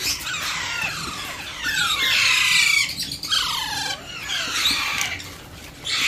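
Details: Young Alexandrine parakeet during hand feeding, making rapid scratchy squeals and falling rasps, about four per second, with a louder sustained harsh stretch in the middle.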